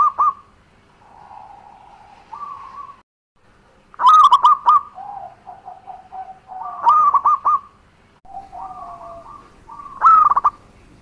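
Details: Local zebra dove singing, recorded as a lure to draw answers from other doves: soft rolling coos broken by loud, stuttering, trilled phrases, about four bursts over eleven seconds, each ending in a lower drawn-out coo.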